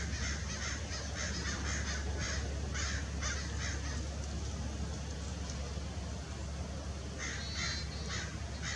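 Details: An adult Lewis's woodpecker at Irvine Regional Park, Orange, California, on 6 December 2021, gives harsh, crow-like rasping notes in quick series, a pause, then another burst, over a steady low rumble.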